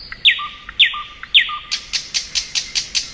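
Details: A thrush nightingale sings in spring: three loud sweeping downward notes each trailed by a low whistle, then a fast even run of about eight sharp clicking notes.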